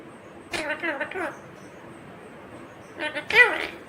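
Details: Indian ringneck green parrot talking in two short speech-like bursts, a wavering squeaky phrase early, then a louder, sharper phrase near the end, separated by quiet hiss.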